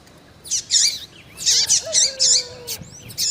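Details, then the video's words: Female double-collared seedeater calling to excite a male: a string of loud, rasping high chirps, with a soft, low, drawn-out whistle sliding underneath midway. "FÊMEA DE COLEIRO QUENTE CHAMANDO MUITO FOGOSA E PIANDO - ESQUENTE SEU COLEIRO FRIO"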